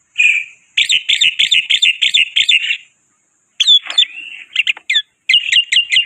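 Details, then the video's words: Chatty lure song of a black-winged myna (white starling): loud strings of rapid, buzzy chattering notes, a short silence, then sharp rising and falling notes and more chatter. "Burung Jalak Putih Pemancing Gacor"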